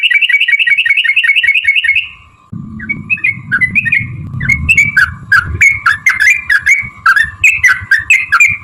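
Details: Sooty-headed bulbul lure song to provoke other birds: a loud fast rattling trill, then quick bubbly chirped phrases over a steady hum, with low rumbling noise and sharp clicks.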